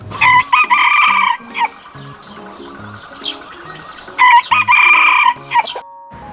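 A rooster gives two loud, drawn-out crows about four seconds apart, with short clucking notes between them.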